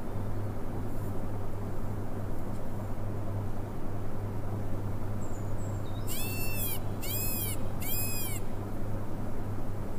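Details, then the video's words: Peacock (Indian peafowl) during its dance display with feathers open: three loud, nasal, rising-then-falling wails about a second apart, over a steady low rumble of wind or engine noise. "peacocks Opening Feathers HD Bird Sound"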